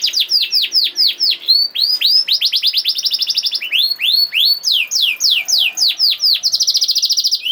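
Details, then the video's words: Canary 'nembak' song meant to trigger lazy canaries to reply: strings of descending swept whistles, a very fast trill, more spaced sweeps, ending with a buzzy rattling roll. "Kenari Malas Bunyi Langsung Nyaut Ikut Ngerol Kalau Dengar Suara Kenari Nembak Ini ||Voice of Canary"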